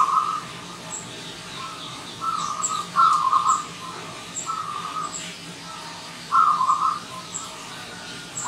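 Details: A local wild zebra dove singing in the morning, giving short, rolling bursts of soft staccato cooing about half a second long, repeated every second or two, with thin high chirps from other small birds.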